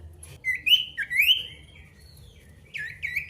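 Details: Pied bush chat male singing to challenge an opponent, giving sweeping upslurred whistles with a buzzy edge, a pause, then a few more rising whistled notes.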